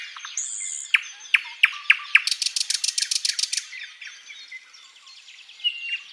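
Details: Flycatcher song played as tutor material for cage birds: a few sharp, separated chirps, then a quick, buzzy rattle of rapid notes, easing into soft, high twittering with a faint whistle near the end.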